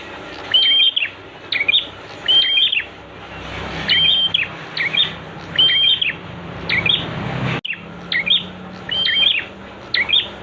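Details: Prenjak (prinia) master song for bird training: about eight phrases of a high, level whistle with sharp chirps, repeated every second or so, broken by a brief dropout midway.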